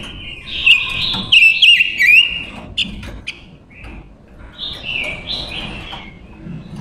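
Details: Silver-eared mesia female used to lure and trap wild birds: a warbling string of high whistled notes with quick up-and-down wiggles, followed by softer, scattered chirps and a later quieter phrase.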